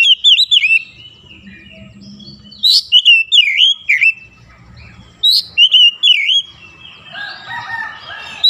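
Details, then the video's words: Oriental magpie-robin singing in morning sunlight with lively, repeated whistled phrases of swooping, looping notes, broken by brief pauses, ending in a buzzy, warbling jumble. "SINAR MATAHARI PAGI SANGAT AMPUH MEMBUAT KACER LEBIH GACOR"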